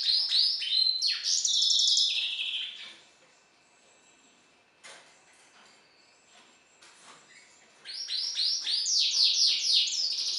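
A finch hybrid sings a fast, high twittering song of sweeping whistles and buzzy trills, in two bursts separated by several seconds of near quiet.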